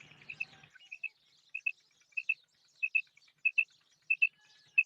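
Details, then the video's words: Female quail calling, giving high, clipped double notes repeated roughly every half second to second; a brief low hum fades out at the start. "مادی بٹیر کی 7 منٹ والی آواز / Female Batair Sound"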